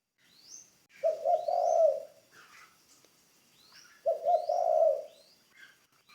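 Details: Spotted dove, a decoy bird being trained. Two low, rolling coo phrases come three seconds apart, each about a second long. Thin rising whistles from other small birds sound around them.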